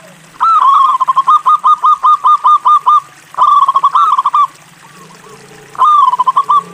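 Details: Local zebra dove, a strong singer, repeats its song three times. The first phrase is a long run of about a dozen quick staccato coos. Two shorter rolling phrases follow after pauses.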